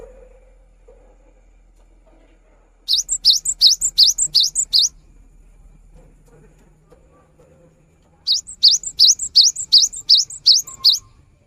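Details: Cinereous tit (gelatik batu) singing constantly. Two bursts of about eight sharp, rising high whistled notes, each with a thin overtone, delivered rapidly and evenly, separated by a quiet pause with faint low hum.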